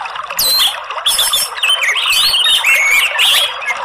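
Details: A captive orange-headed thrush that rarely sings, said to give only twittering chatter: a rich, varied run of fast whistled and squeaky phrases sliding up and down, nearly continuous over four seconds.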